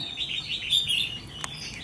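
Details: Trainee decoy red-whiskered bulbul ('mí lửa'), tested for fighting attitude: a short, fairly soft warbled phrase with a sharp click partway through, against a faint background hiss.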